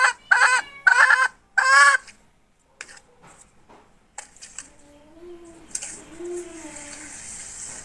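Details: Hen from 2021 utters three loud, grating squawks about half a second apart. Quieter clicks and rustles follow, then a soft low wavering tone with a high hiss.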